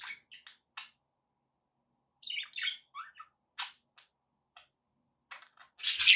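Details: Pet budgies give scattered short chirps and squeaky warbled notes with gaps of silence between them. The clip ends in a louder harsh burst.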